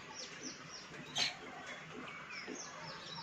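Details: Baya weavers, monsoon visitors at a balcony, giving a faint series of short, high, downslurred chirps repeated several times per second, with one louder sharp note near the middle over steady background hiss.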